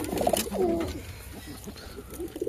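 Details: Domestic pigeons from a flock whose chicks were all lost to pox; a low, soft cooing phrase comes early, then fades into faint room noise and murmurs.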